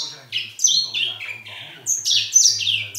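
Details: Caged grey singing finch singing indoors: quick chains of sweet, high, falling whistles delivered in two bursts, with a faint low hum running beneath.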